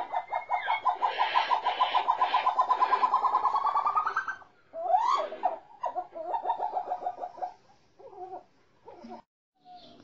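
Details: Captive snowcock song, recorded a month and a half after the birds were caught: a long, fast train of pulsed notes that climbs slightly in pitch, then a sharp rising whistle and further broken pulsed phrases.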